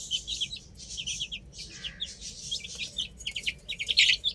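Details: Many chicks playing on a roof chirp almost continuously, shrill high peeps in tight overlapping runs, growing louder and denser near the end.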